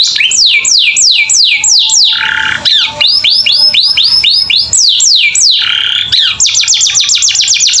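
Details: Pet canary singing nonstop in a varied, filled-in style as learning audio for other birds: looping whistled downslurs, a short buzzy stretch, curved rising phrases, and a fast chattering run at the end.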